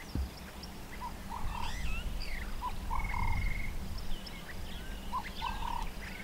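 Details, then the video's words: White-fronted bee-eaters near the Pafuri Picnic spot, Kruger National Park, South Africa: short nasal notes, a clipped note then a longer one, repeated in pairs every couple of seconds, with thin higher bird whistles and a steady low rumble beneath. "White-fronted Bee-eater, Pafuri, Kruger National Park"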